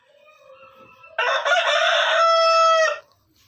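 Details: Rooster crowing: a faint lead-in followed by one loud, drawn-out harsh crow lasting about two seconds, steady in pitch and ending abruptly, with no other sounds.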